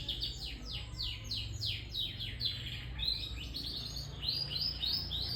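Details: Young canary singing a soft, continuous run of fast descending chirps and trills, repeated in quick series over a steady low background hum.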